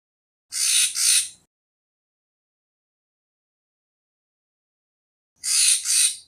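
Racket-tailed treepie giving harsh, grating double notes, two rasps in quick succession, repeated after about five seconds of silence.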